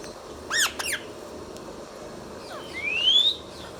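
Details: Pet Indian ringneck parakeet producing two quick hoarse squawks, then after a pause one long upward-sliding whistle, over a hissy background.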